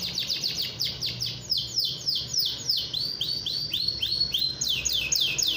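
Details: Atlantic canary (domestic canary) in full song meant to provoke rival canaries into singing: rapid series of downward-sweeping high whistled notes, about four per second, forming rolling tours that shift pitch, with a low background hum.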